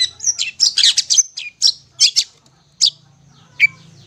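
Long-tailed Shrike song: a jumbled run of harsh chattering and scratchy notes, then spaced single chirps and a thin whistle, with a faint low hum underneath.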